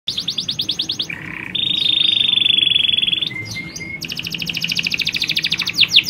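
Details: Colony of canaries, females calling to males and males in full song, used to stimulate breeding; fast trills of repeated notes, a long steady high whistle, then another rapid buzzy trill.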